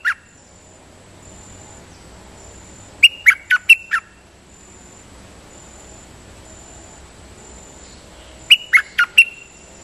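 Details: Dok taeng decoy bird giving two bursts of four or five sharp chattering notes about five seconds apart, separated by quiet stretches with a faint intermittent high whine and low background hiss.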